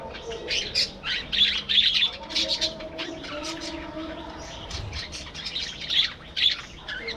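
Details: Breeding-colony budgerigars in an aviary: uneven bursts of shrill chirps and chattering warbles repeat rapidly, rising and falling in loudness over a soft low hum.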